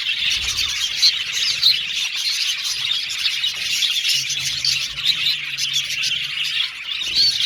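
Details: Budgerigars chirping and singing together in an aviary colony, a constant shrill twitter with occasional sharper squeaky notes standing out above the mass of sound.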